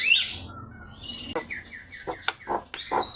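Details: Javan myna song used as a master recording for training birds to sing: scattered whistled notes, falling slurs and sharp clicks, with brief harsh bursts toward the end.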